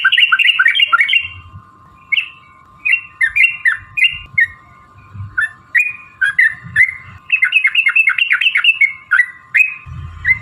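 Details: Sooty-headed bulbul song used to prompt other bulbuls to sing: scattered slurred whistles and quick chattering note groups at uneven intervals, over a constant low hum.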